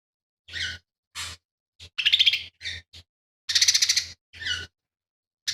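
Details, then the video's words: Lesser green leafbird performing varied material, reportedly imitating fighting sparrow, buto kingfisher and cililin, for tutoring other songbirds; a string of short, separate chirps and whistled slurs with brief quick trills between. "CUCAK IJO MINI GACOR"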